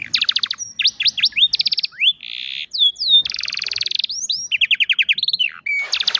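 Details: Loud, rich song from an old canary in the afternoon, mixing rapid stuttering trills, long buzzy rolls, and bright rising and falling whistles in quick succession, with only a faint low background.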